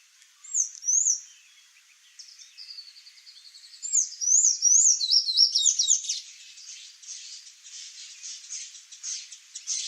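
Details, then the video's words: A Sayaca tanager (Thraupis sayaca) visits a Brazilian backyard looking for fruit. It gives thin, high, squeaky notes, some rising and falling, run together into a twittering series over faint background noise. "SAYACA TANAGER (THRAUPIS SAYACA), SANHAÇO-CINZENTO"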